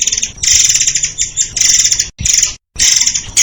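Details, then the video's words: Murai air (white-crowned shama) delivering rapid-fire song for training other songbirds: loud shrill bursts of quick high notes, interrupted by a couple of short silences. "SUARA BURUNG MURAI AIR untuk masteran || FULL DURASI & TEMBAKAN RAPAT"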